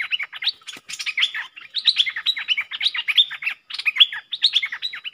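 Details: Two Streak-eared bulbuls singing against each other in a fierce duel, 30 October 2021; dense, almost unbroken chatter of quick warbled notes, phrases overlapping with only tiny gaps.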